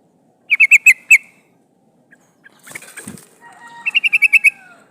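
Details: Female sooty-headed bulbul calling a male, used as a decoy lure for catching wild birds: two quick bursts of about five harsh, buzzy notes, with a rustling flutter and a faint descending whistle between them.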